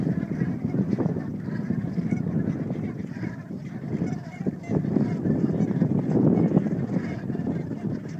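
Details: A flock of dark-bellied brent geese at RSPB Frampton keeps up a dense, continuous chorus of low, throaty honks and grumbling notes, many birds calling over one another and swelling slightly in the last few seconds.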